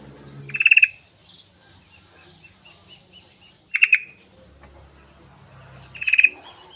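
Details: Lure recording of an excited sooty-headed bulbul (trucukan), meant to get reluctant bulbuls singing: three short bursts of rapid trilled chirps roughly three seconds apart, with a thin continuous high whine throughout.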